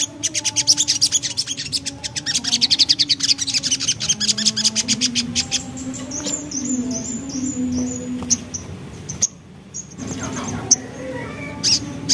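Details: Javan black-capped babbler in energetic ngriwik song: a dense run of fast, high, clipped chattering notes for several seconds, fading into softer, scattered notes and background noise, with a faint low droning tone throughout.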